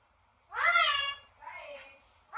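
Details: Single loud, rich, meow-like parrot cry sliding down in pitch, followed by a softer, lower, trailing note.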